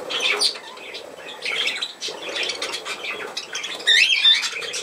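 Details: Budgerigars squawk and warble in short scratchy bursts, ending with a louder run of rapid chirping notes.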